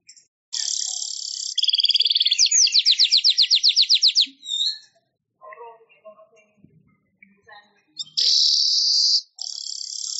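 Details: Manyar weaver song recorded as a long tutor track for training other songbirds: sizzling high buzzes alternating with a fast run of about fifteen repeated downslurred notes, then scattered soft chips before another long buzz.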